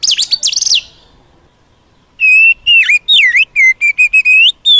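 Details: Wild Oriental magpie-robin, song for provoking a kept bird: a loud wavering whistled phrase, a brief silence, then a string of rich slurred whistles, dipping and rising notes.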